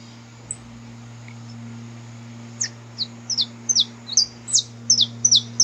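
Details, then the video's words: Saffron finch recorded in the wild. After a quiet start with a few faint notes, a quickening run of sharp, high, downslurred chirps begins, against a steady low hum. "Canto Para Esquentar o Canário da Terra"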